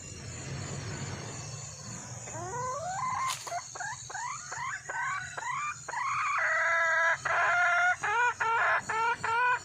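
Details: Wild red junglefowl hen calling for a mate: a run of short rising notes about three per second, building into loud, harmonic, nasal upslurred calls in steady repetition, with a constant high electronic hum.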